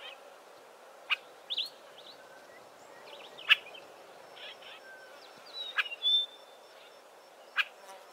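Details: Several Southern Tchagras in a thick clump of Acacia trees give a varied mix of sharp snapping clicks, short harsh chattering notes and a thin, level whistle near the six-second mark, spaced irregularly over quiet background hiss.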